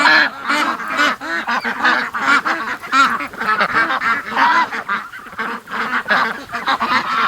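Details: A flock of domestic geese starts up a foggy, rainy July 31 morning around a duck pen, honking continuously with loud, nasal calls overlapping several times a second from many birds at once.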